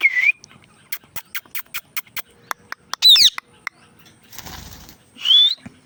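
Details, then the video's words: Indian ringneck parrot making sounds: a rising whistle, a rapid series of about a dozen sharp clicks, a harsh squawk, then a breathy rustle and a final slurred whistle. "Indian ringneck parrot talking and making sounds"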